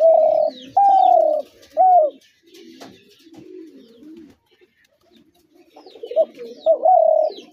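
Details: Spotted dove giving loud, mellow coos: a burst of three short-to-long notes at the start and a pair near the end. Quieter low cooing between phrases and thin high chirps from other birds sit behind.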